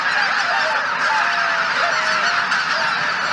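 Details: Geese massed at dawn at Shishihana on Izunuma marsh under thick cloud. Steady dense honking from many birds, with individual drawn-out, slightly wavering nasal calls repeated over the continuous roar.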